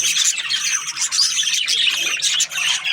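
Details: Short burst of budgie chatter, Australian parrots giving rapid bright chirps and squeaky whistled notes over one another, with a quick drop in volume near the end.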